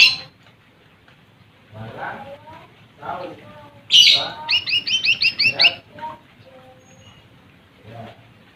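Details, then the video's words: Lesser green leafbird singing to provoke rivals: a sharp harsh note followed by a fast run of about ten repeated bright chattering notes, with softer scattered chirps before and after. "SUARA Cucak Ijo Mini | Pancing Emosi Burung Lawan"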